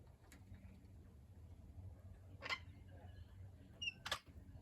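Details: A large Australian King Parrot visiting a Sydney garden, having flown to a chicken coop among silkie chickens, gives two short, harsh, shrill squawks about a second and a half apart, with a fainter note just before, over low hum.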